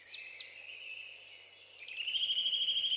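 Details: Young Saker falcons calling from their nest in Hungary, 11 May 2012, via webcam: a few quiet, thin notes, then a strong, sustained, harmonic whine with a fast pulsing quality.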